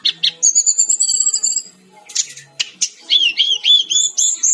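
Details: Energetic brown-chested jungle flycatcher song used as songbird tutoring material: a long high trill gives way to scratchy chattering notes, then a bright series of rapid, looping whistled phrases.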